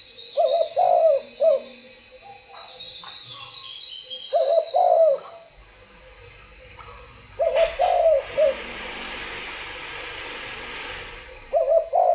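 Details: Spotted dove cooing repeatedly, with four low, soft phrases spaced several seconds apart, each made of short linked coo notes. High chirping of other small birds and a brief rustle are also heard.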